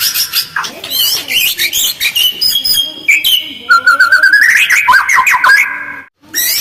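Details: Harsh, quick lure song of a white-rumped shama, delivered with tight pauses to prompt other birds to respond: rapid chattering notes leading into a run of rising whistles, ending in a short silence and a final burst.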